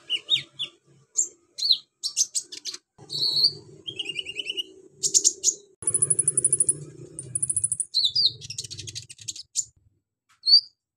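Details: Kolibri ninja sunbird singing with many imitations of cililin, crickets, golden grasshopper and chicks; varied high chips, rapid trilled buzzy stretches resembling insects, and shrill ticking bursts over a low faint hum.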